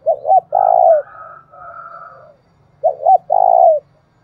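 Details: Spotted dove call used as a lure to stimulate another dove: loud two-part coos, a short double note then a long falling coo, repeated twice, with softer quiet coos between.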